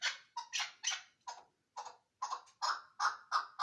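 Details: Irregular chukar partridge calls at Ishkoshim, scratchy chuck notes with a lower tonal edge, spaced unevenly with short gaps, growing louder toward the end.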